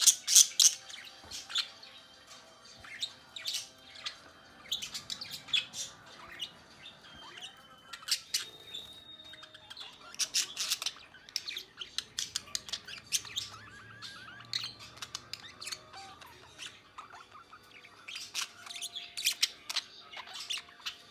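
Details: Two pet budgerigars hang out together: a steady, irregular chatter of rapid high chirps, squeaks and warbling notes.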